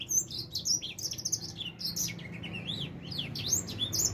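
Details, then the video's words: Edel sanger finch of four months just coming into song: clear, high twittering with sweeping whistled slurs and quick chirps, fairly clean with only faint low hum. "Kicau Burung edel Sanger Umur 4 bulan mulai gacor"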